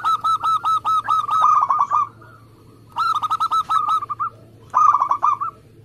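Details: Local zebra dove in energetic, rapid song of the kind used for competition birds: three strong bursts of quick, bubbling coo notes, the first long and even, the later ones shorter, with quiet pauses between.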